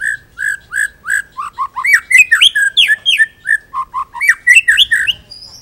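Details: Full-repertoire White-rumped shama song used as a master for training other birds: steady repeated whistled phrases, about four per second, sliding up and down between low fluty notes and higher sharp chirps.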